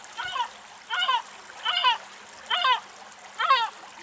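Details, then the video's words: A European Herring Gull (Larus argentatus) gives five nasal, downslurred calls over a steady watery hiss while eating a large mullet caught in shallow water at the Axios Delta National Park, Thessaloniki, Greece. "Γλάρος Φωνές"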